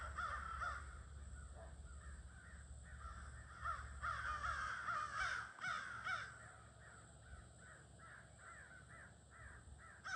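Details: Near-evening gathering of crows in trees, 22 August: a chorus of harsh caws runs through, several birds overlapping, about two or three calls a second, busiest mid-way, with steady low rumble underneath.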